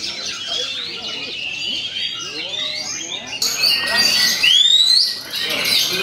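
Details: Kept Oriental magpie-robin delivering shama-style phrases and long rolling material against rival birds; busy twittering gives way to louder, clearer whistles, including a bright rising slurred note near the end.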